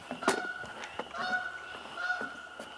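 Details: A goose heard calling in flight before coming into view, giving drawn-out, nasal honks, three or four in under three seconds, against faint background rustle; Carolina wren and cardinal also heard nearby.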